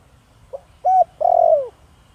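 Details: Caged spotted dove of the thổ đồng voice style, kept to provoke wild doves, giving one cooing phrase: a faint short note, a clear level coo, then a longer, louder coo that slides downward.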